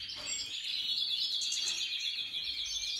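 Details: A European goldfinch delivers song of the Major type, recorded 2023: an unbroken, bright, high twitter of quick chirps and liquid trills, evenly loud throughout, with light background hiss.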